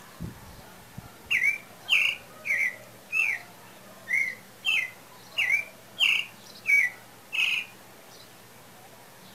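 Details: {'caption': 'Pale-breasted thrush singing as breeding season seems to approach: a steady series of short, clear whistled notes, each slightly slurred or rising, given about every two-thirds of a second after a few soft clicks at the start.'}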